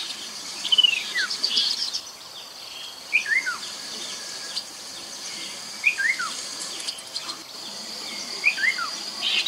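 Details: Chestnut-capped babbler used as a lure, taped beside the Mekong in Nakhon Phanom, Thailand, in 2021: clear descending whistled slurs repeated about every two to three seconds against a constant insect drone.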